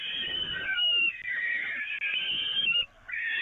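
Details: Peregrine falcons at the Evoluon, feeding on the nest grating in May 2018: wavering, grating wails with short breaks, ending after a brief silence with another rising cry.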